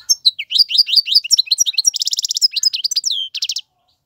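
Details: Male European goldfinch singing, used to tutor young birds: fast twittering phrases of high sweet notes, then a rapid buzzy trill and tinkling notes, stopping abruptly before a brief silence.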